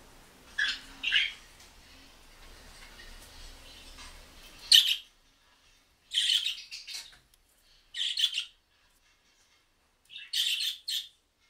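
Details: Budgerigars responding to a mobile phone recording: scattered bursts of chirpy, buzzy chatter, with a low hum in the first half, then clean separate call bouts after a loud squawk near the middle.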